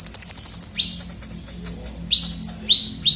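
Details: Kolibri ninja sunbird as a lively lure sound for attracting birds: a fast, very high trill, then several short falling whistled notes spaced apart.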